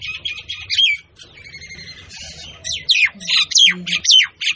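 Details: Myna giving harsh squawks and chattering notes mixed with whistled downslurs, uneven in rhythm, with a brief buzzy passage in the middle and a low droning background.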